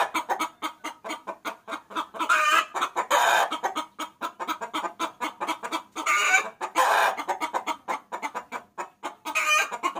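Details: Hen's call to a rooster, used for luring: continuous quick clucking punctuated every few seconds by longer raucous squawks.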